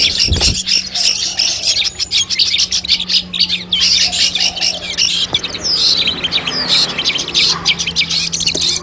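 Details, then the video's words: Training recording of Long-tailed shrike song before a contest: loud, rapid, scratchy chattering with high whistled notes and short gaps, a steady low electrical hum beneath and a thump at the start. "masteran kumpulan suara cendet tes mental sebelum lomba"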